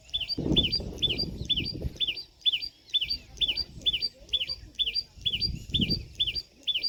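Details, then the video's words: A common tailorbird gives its sharp chee-up call, a contact and danger-warning note. About fourteen high, rising-and-falling notes come at a brisk, even pace over patches of low, muffled background noise. "Sound of Common Tailorbird | Common Tailorbird Call | दर्जिन चिड़िया की आवाज | Tailorbird Chirping"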